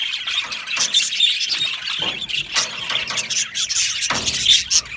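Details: Chirping budgerigars in an aviary colony, described as happy, giving shrill squeals and quick high twitters in overlapping bursts, with a couple of lower rustling thumps.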